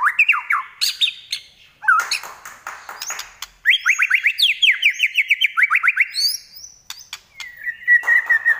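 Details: White-rumped shama, murai batu of the Trek Pastol type, singing in a piercing 'nyelit' voice. Loud, rapid series of steeply descending whistled notes come repeated in runs. Higher upslurred whistles follow and a sustained whistle ends it.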